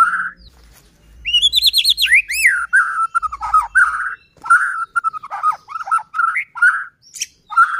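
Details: White-rumped shama singing, meant to agitate other shamas into song: a long series of rich mellow whistles, with a few higher rising swoops near the start, repeated in varied short phrases.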